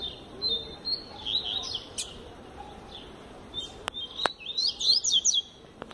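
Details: Coleiro, the double-collared seedeater, in a tui tui zel zel tutor song: scattered high whistled notes early, then a dense burst of rapid sweeping notes near the end, with several sharp clicks.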